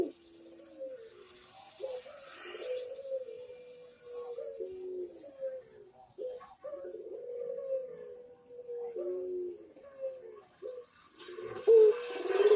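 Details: Barbary dove singing actively: soft, low, rolling coos in a steady series, with a few faint clicks and a louder bump near the end.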